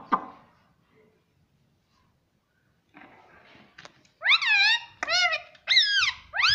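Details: Indoor pet parrot: after a quiet stretch with faint rustling, four loud arched squawks with strong overtones follow one another roughly every second.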